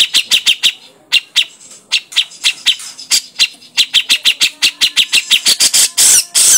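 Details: Lure recording of an energetically calling grey-cheeked bulbul, used to set other birds singing. Long steady series of short, sharp, penetrating notes, roughly three a second, ends in loud harsh grating bursts.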